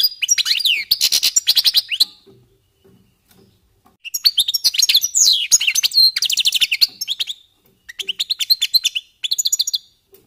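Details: Warming-up song of European goldfinches: repeated bursts of bright twittering and buzzy trills, each lasting one to three seconds, separated by short quiet spells.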